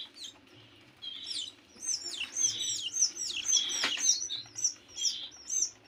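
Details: Fifteen-day-old canary chicks begging: a steady stream of high, squeaky chirps that slur downward, repeated nearly twice a second and growing busier midway, over a soft low hum.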